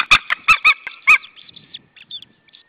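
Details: White-tailed eagles at an Estonian nest in the evening, April 26, 2013, both birds shouting toward another eagle; loud, harsh yelping notes in a fast series of about six, then fading softer calls.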